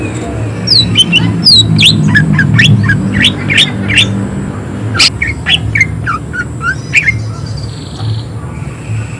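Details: Rapid, harsh song of a greater green leafbird, a quick series of sharp falling chirps and whistles at first, then more spaced squawky notes, with a constant low background hum.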